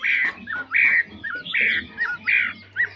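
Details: Chinese hwamei, described as a faultless strong singer, giving loud slurred whistles, each swooping phrase followed by a short downward note, repeated about every half second, with a faint low hum underneath.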